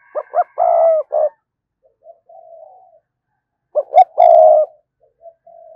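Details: Two bursts of spotted dove lure cooing, used to provoke a response from wild birds. Each burst has quick stuttered notes and then a long resonant coo, followed by faint trailing murmurs.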